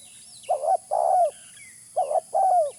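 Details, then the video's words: Spotted dove used as a lure, giving two soft, low phrases. Each is a short wavering coo followed by a longer coo that drops at the end. A faint high bird chirp is also heard. "Suara pikat terkukur original"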